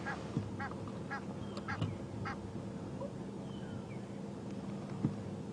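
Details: Egyptian geese at Djuma reserve, South Africa, at sunrise on 23 June, flying in and probably shouting at secretary birds: harsh, stacked honks and cackles in short bursts, a few times over five seconds, above a steady low rumble.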